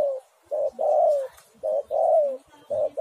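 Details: Lure recording of an Indonesian spotted dove singing: a brisk run of soft coos, a short note followed by a long descending coo, repeated about once a second.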